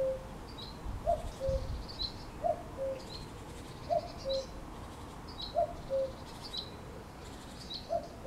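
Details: In May, a cuckoo repeats its low, falling two-note 'cu-coo' song about every one and a half seconds, with thin chirps of other small birds higher up.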